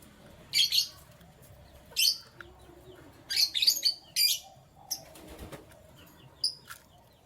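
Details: Canary in the morning giving short, bright chirps in scattered bursts of two or three notes, separated by pauses of about a second, over a quiet background.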